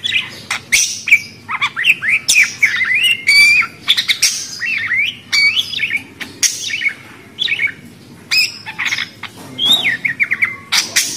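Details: Budgerigars chattering with squawky, rising and falling whistles and harsh scratchy notes in continuous irregular bursts, punctuated by sharp clicks.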